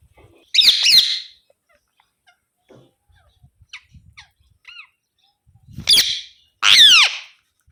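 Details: Harsh, screechy calls from an Alexandrine parakeet, one burst early on and two more near the end, separated by a quiet stretch with faint clicks and a thin chirp.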